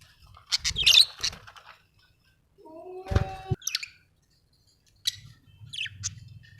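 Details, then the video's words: Budgie chirping in short bursts of high, scratchy warbles, with a clear drawn-out whistle near the middle and a few brief pauses between phrases; faint low hum underneath. "Australian beautiful birds sound 😍 budgie chirping sound 😍"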